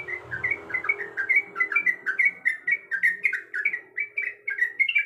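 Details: Sooty-headed bulbul, female calling the male: clear whistled chirps in a steady lively rhythm, each note slurring down, repeated steadily throughout with a faint low tone beneath.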